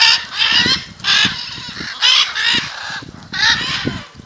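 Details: Macaws gathering in front of a house in Jaumave, Tamaulipas, in February: harsh, raspy squawks in loud bursts about every second, several birds overlapping, with faint low rumble beneath.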